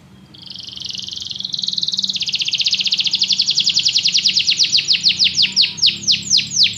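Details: Canary song building from a quiet high trill into a loud rapid rattle of repeated notes that gradually become slower, separate downward sweeps, over faint low background noise.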